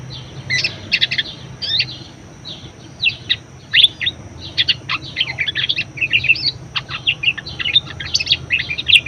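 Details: Budgerigar singing, a track recommended for prompting and tutoring other birds: scattered chirps at first, building into a dense, continuous chatter of scratchy high notes, over a low hum.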